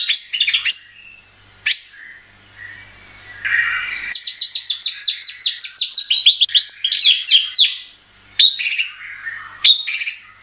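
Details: Oriental magpie-robin song used as a lure: scattered high chirps with a faint low hum, then a fast run of repeated sweeping notes in quick succession, followed by a few separate sharp calls.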